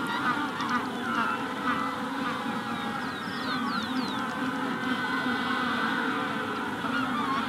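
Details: Magellanic penguins calling in a colony at the hatching stage, a low steady murmur of honking voices, with a rufous-collared sparrow's quick falling whistles around the middle.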